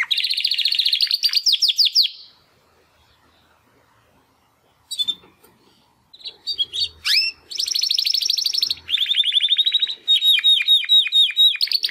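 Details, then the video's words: First post-molt song of two young Timbrado canary brothers born in the second 2020 breeding: a rapid high trill, a long silent gap, scattered sweeping notes, then sustained quick trills and repeated chirp series. "Two Canaries Brothers - Canary training song"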